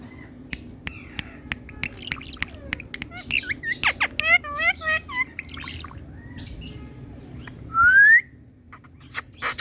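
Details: Indian ringneck parrot in a happy mood, a pet bird chattering: clicks, a burst of rapid arched chirping notes, then a loud rising whistle near the end, with background hum.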